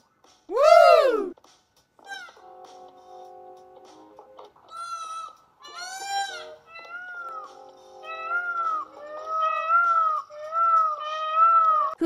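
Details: Peacock giving loud, wailing, meow-like cries rich in harmonics, a few drawn-out calls early on, then repeated about every second toward the end, over soft background music.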